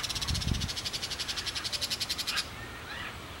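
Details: Crested caracara giving a fast, even rattle of harsh clicking pulses lasting over two seconds, then breaking off into a thin rising note, with a low thud at the start.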